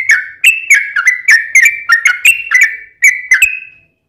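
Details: Yellow-vented bulbul song used to draw other bulbuls into song, a quick sequence of clear whistled notes with crisp starts, slightly rising and falling, ending on a longer held whistle.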